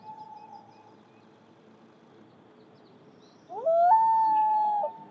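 A common loon gives a long, mournful note that swoops upward, then holds steady and clear for over a second, after a faint earlier wail and quiet background hum.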